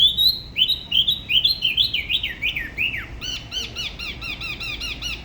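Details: Dalat spot-throated babbler at the La Ba river, Vietnam, in solo song of a local style: a string of slurred whistles stepping down in pitch, then a brisk series of short arched notes repeated about three per second.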